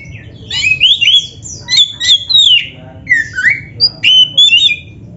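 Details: Song of a black-breasted Oriental magpie-robin meant to stimulate caged birds to sing: dense bursts of scratchy and whistled notes, sliding up and down, some harsh rasps among clear tones, delivered in clustered phrases over five seconds.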